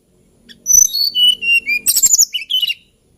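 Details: A hill blue flycatcher sings a sequence of clear high whistles stepping downward, then a dense burst of sharp chattering notes and a final rising, warbled whistle.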